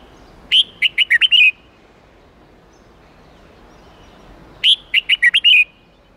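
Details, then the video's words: Red-whiskered bulbul song of the 8-9-10 style, a forest-standard voice used to train young birds: bright whistled phrase of about six quick rising and falling notes, repeated after a four-second pause over faint background hiss. "Luyện Chào Mào Hót Giọng 8-9-10 Ép Chim Non Học Giọng Chuẩn Rừng"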